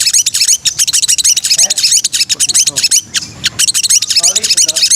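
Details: Murai, or white-rumped shama, training song: a dense, varied stream of shrill chirps, sharp whistles and harsh squeaky notes crowding tightly together, with a brief pause midway before the rapid jumble resumes.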